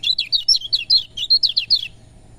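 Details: Rapid high twittering from a lemon-bellied white-eye, about a dozen bright, sliding chirps run together over two seconds, then stopping. The song is played to push sluggish birds to sing.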